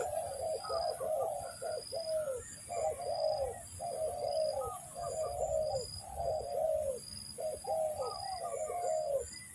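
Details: Spotted dove coos for lure trapping: dense, overlapping runs of mellow, falling notes repeated rapidly, possibly more than one caller, over a steady high thin whine.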